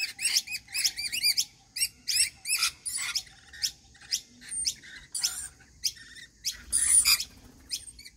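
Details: Rainbow lorikeets at a daily routine feeding, giving a rapid series of shrill, screechy chattering notes with sharp up-and-down sweeps, repeated in bursts roughly every half second, later mixing into harsher rasping squawks.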